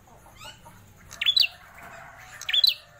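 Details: A captive prinia (prenjak klawu), kept for over four years and described as rare, gives two loud, sharp bursts of high, squeaky notes about a second and a half apart, with faint chirps and soft background noise between.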